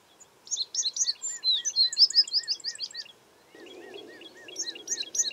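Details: American tree sparrow chirps: a busy burst of high, thin twittering notes, with a lower series of soft, evenly spaced arched notes beneath. A brief pause follows, then faint rustling and a few more high chirps.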